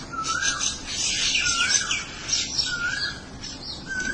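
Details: Birds talking to each other with short, low, rising-and-falling whistled notes repeated several times, set against dense, high, chattering chirps.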